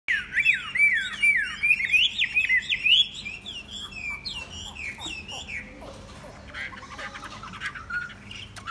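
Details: Tame Chinese hwamei singing loud, rich warbled phrases of sliding whistles for about three seconds, then softer, scattered notes and chatter fill the rest.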